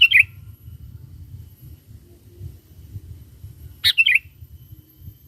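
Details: Sooty-headed bulbul lure song meant to attract wild bulbuls. Two brief, bubbly, chirping phrases, one at the start and one near the end, with a quiet, low, rumbling background between them.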